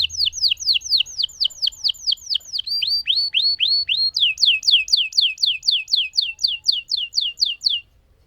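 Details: Lemon canary singing strongly with a long roll: a steady series of downslurred whistled notes, about three per second, shifting pitch and tone between phrases for over seven seconds.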